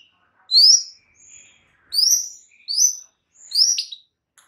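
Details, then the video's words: White-rumped shama song meant to provoke rival shamas: four bright, high, rising whistled phrases separated by brief pauses, each sharp and clear. "PANCINGAN Murai Batu bikin langsung EMOSI murai manapun saat mendengarnya"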